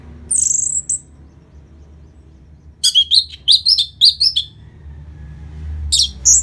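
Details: Orange-headed thrush singing, played to make a post-moult bird more aggressive: a thin high whistle, a pause, then a fast run of bright, bouncing whistled notes, with low hum in the background.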